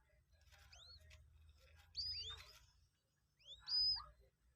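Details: Hand-reared two-day-old Common Moorhen chick at a feeding lesson: a few loud, high, arching whistled peeps, separated by pauses, over faint low hum.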